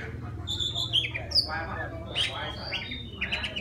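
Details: Oriental magpie-robin from the forest singing to call a female. Varied whistled phrases with a sharp upslurred note, then scratchy chattering notes, all over a faint low hum.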